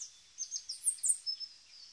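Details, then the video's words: Two native tui displaying at Zealandia in Wellington, New Zealand: a quick run of high, thin chirps and whistled notes, rising and falling, about eight short phrases over two seconds, with no other clear sounds. "2 Tui (native bird) display"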